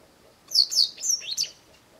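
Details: Japanese wagtail calling in a garden, repeating shrill calls for a long spell: four sharp, high, slurred notes in quick succession, with a quiet background.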